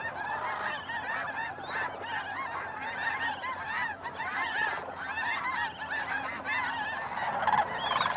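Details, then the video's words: Large flock of snow geese at Bosque del Apache NWR, December 12–13, 2009, at sunset and sunrise; dense overlapping nasal honks and yelps, constant clamour with many birds calling at once. "Snow Geese Sunset and Sunrise"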